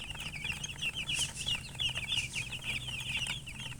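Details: A brood of young chickens chirping busily: rapid, high, piping notes roughly three per second, crowding together into an unbroken chatter above a soft low hum.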